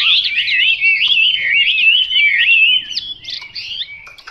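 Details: Chinese hwamei delivering a loud, fluid song of rising and falling whistled slurs for nearly three seconds, followed by shorter, choppier high notes that grow quieter toward the end.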